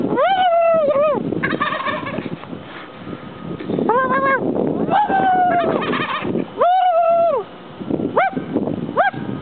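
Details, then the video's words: Turkeys calling back in response to a person talking to them: a series of loud, arched, tonal gobbling calls, each rising then falling, repeated irregularly over a rough, noisy background. "talking to turkeys, and they talk back!"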